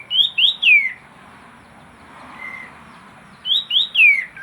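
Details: Sooty-headed bulbul (kapas tembak) in full song, meant to prompt quiet birds to sing: a fast three-note whistled phrase of looping, falling notes, a soft pause with one faint whistle, then the same phrase repeated.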